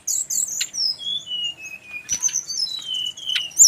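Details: Brown-chested jungle flycatcher from Bali singing a song others of its kind are said to answer: bright high notes gliding down into long clear descending whistles, repeated in two phrases with a faint click between.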